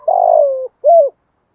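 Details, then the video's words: Decoy spotted dove calling to lure wild doves: a long, loud coo that slides slightly downward, then a short arched coo after a brief gap, clear and close. "tiếng chim cu đất kích bổi nhanh nổi gù, cu gáy bài bản giọng hợp bổi"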